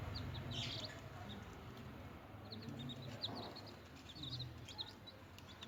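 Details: Newborn baby chickens chirping as they feed and play. Clusters of brief, high, piping cheeps come in quick runs, mostly near the start and toward the end, over low rumbling background noise.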